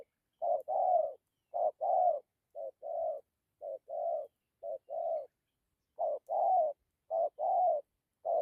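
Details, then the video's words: Gù coo with dặm from a decoy spotted dove. Mellow hollow hoots fall in two-note groups, a clipped note followed by a fuller one, repeated roughly every second against a quiet background. "Thổ tốt tiếng gù tốt dặm kèm gù"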